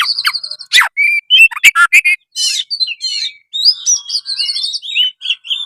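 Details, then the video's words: Varied kacer song, 'gacor' style, from an oriental magpie-robin: repeated stuttering whistles, sharp downward-swept notes, a buzzy rattle, then a long string of bright mimicking whistled phrases. "bila dengar suara kacer gacor satu ini"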